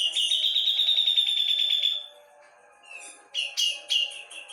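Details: Cucak jenggot from Java singing vigorously: a long, loud, rapidly trilled whistle held steady for two seconds, a soft gap, then three sharp emphatic chirps.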